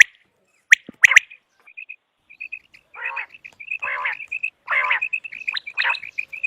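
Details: Common quail sounds for hunting: a few sharp clicks, then short whistled pips strung together, broken by three harsh, croaking bursts.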